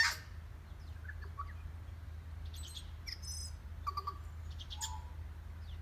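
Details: Tui at Rainbow Falls, Kerikeri, New Zealand, trading calls with a second tui farther off. Scattered short whistles, clicks and high tinkling fragments come at uneven intervals, some faint and distant, above a constant low waterfall rumble.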